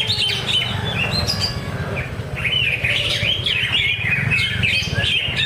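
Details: Greater green leafbird competing at a bird singing contest practice at Danau Bumi Restu, Cikunir. It gives busy chattering phrases of sweet slurred whistles, some swooping down and up, above a constant low murmur of background noise.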